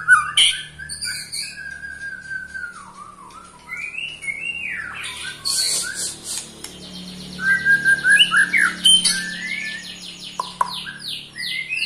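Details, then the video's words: White-rumped shama, a caged eight-month-old pastol-type bird, trilling to rile other shamas: long whistled notes, then dense chatter and fast repeated sharp notes, over a faint low hum. "KETREKAN Pastol 8 bulan Bikin EMOSI murai Lain"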